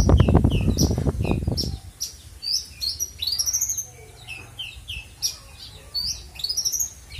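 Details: An owner's captive Horsfield's (Australasian) bush lark sings its full repertoire: a rapid, varied song of high chirps, trills and rising-then-falling slurred whistles, about three notes a second, after a burst of low thumping and handling noise.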